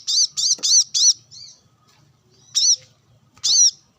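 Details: Brown-throated sunbird being sunned and calling rivals alongside wild birds, uttering harsh, wavering two-toned squeaky notes: four in quick succession, then two more spaced out after a silence.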